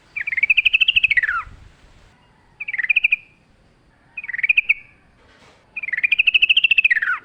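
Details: Wild yellow-vented bulbul singing in the forest: bright, arching rattled phrases that rise and fall, separated by short pauses, with a long chattering phrase at the start and end and shorter bursts between.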